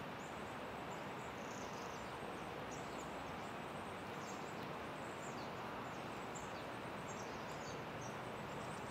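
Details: Long-tailed tits at Mirke, Retovje, on 9 February 2023 give faint, very high, thin see-see calls scattered through the clip, nearly buried under a steady rushing background noise.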